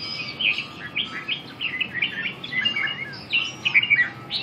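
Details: A red-eyed red-whiskered bulbul performing a perch dance while delivering quick, chattering, sliding whistles in a continuous warbling stream, with soft low background noise.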